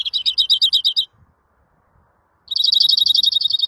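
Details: Greenfinch delivering two fast, rolling trills of clipped repeated notes, separated by over a second of near silence.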